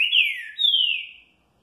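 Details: Green-winged saltator singing the "curril curril rô" song type, used to stimulate other saltators: two clear, loud whistled notes, each sliding downward and lasting about half a second, back to back, with no other sounds.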